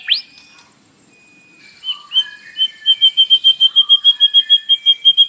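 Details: White-rumped shama song with fill-in phrases, played in the morning to provoke a captive bird to sing: an upward sweep, a pause, then a fast run of clear whistled notes, about three per second, growing steadily louder.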